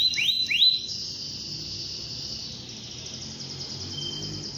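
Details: Canary in full morning song, meant to get other canaries singing; opens with two quick rising upslurred whistles, then holds a long, steady high trill with faint rapid pulsing throughout.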